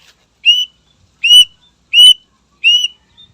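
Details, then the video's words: Greater green leafbird producing four clear rising whistles, each slurred upward and lasting a quarter second, repeated at regular intervals of about seven tenths of a second, sung to stir rival birds. "Suara Burung Cucak Ijo Gacor Istimewa Membakar Emosi Lawan"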